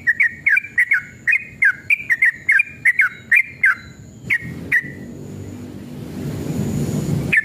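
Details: Aggressive male sooty-headed bulbul giving a rapid string of bubbly, swooping whistled phrases that fade into a couple of single notes, then low rising background noise, recorded as a lure to make other bulbuls sing.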